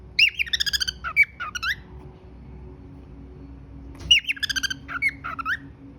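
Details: Cockatiel pet bird whistling indoors: two similar phrases several seconds apart, each a quick chirpy run followed by bent, swooping whistled notes.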